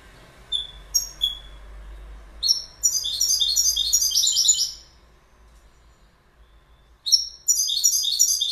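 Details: A goldfinch sings: scattered high calls open, then a quick jangling twitter of bright notes, a pause of silence, and another burst of tinkling song.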